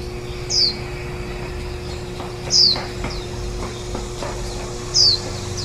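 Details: Warbling white-eye near its nest during nestling feeding, recorded 23 July 2018, the day before the young fledged; three sharp, high, downslurred chirps spaced about two seconds apart, with faint soft ticks and a low hum between.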